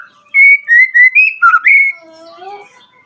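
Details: Shama song meant to provoke rival birds and trigger their answering song: a burst of strong sliding whistles and a dipping warble, trailing off into softer, lower drawn-out tones.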